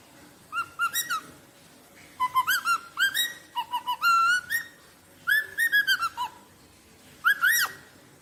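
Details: Rosella song of repeated phrases of clear whistled notes, flat, rising and arched, each phrase of three to six notes, with short pauses between phrases; quiet background.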